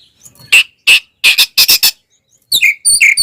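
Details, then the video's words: Oriental magpie-robin in fighting mood, used to provoke other birds: a series of harsh rasping squawks, spaced then doubled, followed by two short whistled notes. "SUARA BURUNG kacer gacor NGEPLONG TARUNG BUKA EKOR ini paling AMPUH buat PANCINGAN KACER agar EMOSI"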